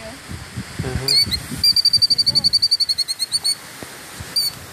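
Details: Female killdeer guarding her nest: after a brief stretch of low speech, a rapid, high, even trill of about twenty sharp notes runs for roughly two seconds, followed by a single short high note.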